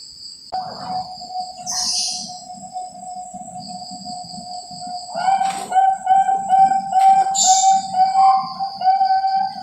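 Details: Caged perkutut Bangkok zebra dove from a farm in Cilacap, Java, Indonesia: a long level coo held for seconds, then a series of short pulsed coos, over a steady low buzzing and a high whine.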